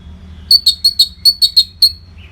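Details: Orange-headed thrush, recorded as master song for training fighter birds, repeating a clear whistled note about eight times at a quick, fairly even pace, then a softer lower note at the end.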